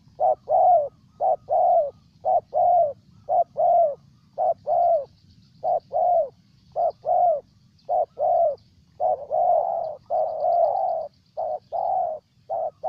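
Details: Long series of spotted dove coos from Ninh Thuan, Vietnam: low, hollow notes in short-long pairs and triplets, repeated almost continuously for thirteen seconds, some longer slurred coos near the end, faint high ticking and low hum behind.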